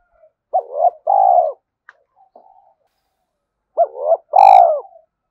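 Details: Spotted dove used as a decoy call to attract wild doves, cooing in fast succession: two low two-part phrases, a short warbled note then a longer falling coo, with brief soft notes between them.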